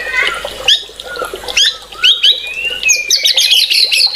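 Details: White-rumped shama in full, energetic song: varied loud whistled phrases, quick rising and falling slurs, then a burst of high, rapid twittering notes near the end.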